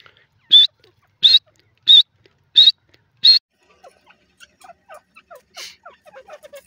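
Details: Grey francolin (dakhni teetar) from a captive breeding pair: five loud, shrill, clipped notes repeated at an even pace, then a string of faint, soft, lower chirps and ticks.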